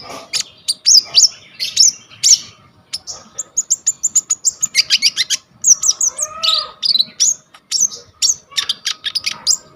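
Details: Long 'full isian' performance by a gacor konin, brown-throated sunbird, used as tutor song for kolibri ninja totol and ijoan birds, recorded on a vivo y21 phone: dense rapid volleys of high ticks and trills, briefly joined by a lower arched whistle.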